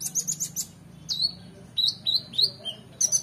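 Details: Oriental magpie-robin for competition-bird training, opening with a rapid high trill, then drawn-out downslurred whistles and a few sweeping notes before another quick burst of high chips, against a faint low hum.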